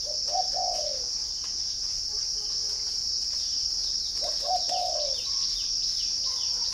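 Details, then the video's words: Spotted dove from a bird-keeping garden in Ba Vì, Hanoi, northern Vietnam, giving two low, mellow cooing phrases that slide downward, each about a second long, several seconds apart. A loud, steady high insect drone runs throughout. "chim cu gáy"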